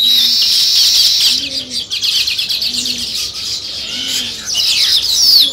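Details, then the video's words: Sparrows chirping where weaver birds are building nests: a dense, continuous chorus of high, rapid overlapping chirps and tweets, with a few louder sliding notes near the end and soft low cooing notes underneath. "Sparrow Chirping Sounds"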